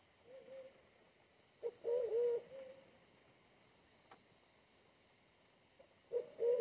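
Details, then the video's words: Very aggressive wild pigeon at a decoy trap: soft hum, then a loud, bubbling coo with a short lead note; another begins near the end, high insect whine constant. "mikat merpati hutan BL bodi lebih kecil dari pikat tapi ganas banget"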